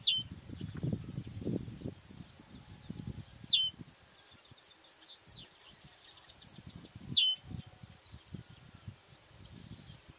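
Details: Chestnut-capped blackbird uttering two loud, sharp descending chip notes about four seconds apart over a steady hiss of background noise, with faint distant bird chatter and low rumbles.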